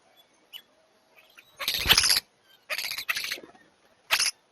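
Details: A flock of European starlings fighting over a spot at a bird feeder gives three harsh, rasping, broadband screeches over about three seconds, the first and longest lasting around half a second; faint chirps sound between them.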